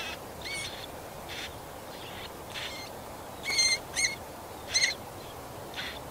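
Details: Marsh warbler chicks, fed by an adult at a nest in nettles and shrubs, Yekaterinburg, 30 June 2020; short sharp harmonic calls in loose groups, louder clustered notes near the end amid quiet background.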